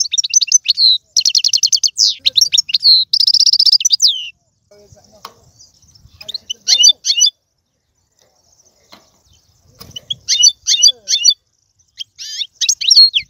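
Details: European goldfinch song to stimulate a pet goldfinch: opening rapid, buzzy trills and twitters, then a long quiet stretch with faint sounds, followed by short bursts of high chirping.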